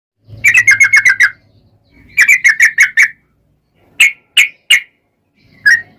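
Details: Yellow-vented bulbul in lively 'gacor' form, a long 'ropel' song used as a lure to make other birds answer: rapid bursts of six to eight bright chattering notes, then three separate sharp notes, with a faint low hum beneath.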